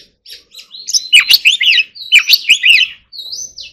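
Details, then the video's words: Training song of an Oriental magpie-robin in the forest-voice manner. Two loud warbling phrases of quick slurred whistles, then a drawn-out rising whistle at the end. "choè than hót giọng rừng"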